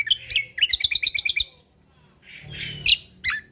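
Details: Cucak kombo Lombok, a Sumatran leafbird singing in natural-style phrases. A quick chirp opens a fast trill of short buzzy notes, followed by a hissy pause and two sharp high whistles.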